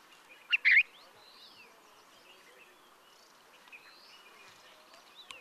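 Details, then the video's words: Himalayan bulbul (Pycnonotus leucogenis) in Uttarakhand, India, gives a quick pair of loud, chattering notes, then fainter thin whistles over a steady hiss of insects. "Himalayan Bulbul Calling"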